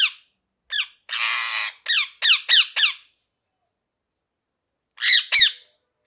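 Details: Parrot uttering quick descending chirps mixed with one harsher raspy squawk, several notes in a row, then a pause and a final pair of chirps.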